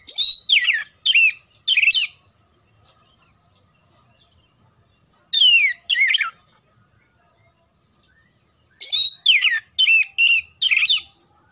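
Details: Song of an oriental magpie-robin aimed at preparing contest birds: clusters of loud, downward-slurred whistles separated by silences, ending in a fast series of six notes.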